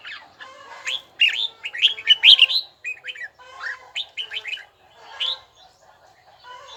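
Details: Red-whiskered bulbul training its bell-tone voice; a loud cluster of ringing whistles early on, then scattered shorter swooping phrases fading toward the end.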